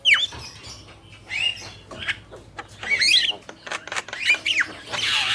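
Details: Male and female Javan mynas: scattered harsh squawks and twisting whistled notes, fairly faint, separated by short gaps and ending in a broad hissing rasp.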